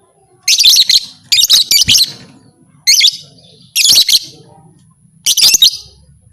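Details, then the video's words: Lovebird calling in a way claimed to stir other lovebirds to fight: five shrill, buzzy chatter bursts of quick clipped notes, spaced roughly a second apart, with a faint low hum underneath. "Suara burung lovebird ini 100% merangsang lovebird lain Jadi Fighter"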